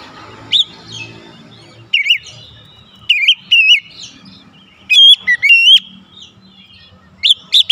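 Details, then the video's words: Kacer, the Oriental magpie-robin, in a recording meant to stimulate singing: separate short whistles and bright chip notes spaced about a second apart, some doubled, over a quiet low hum. "terapi Kacer langsung panas keluar variasi isian"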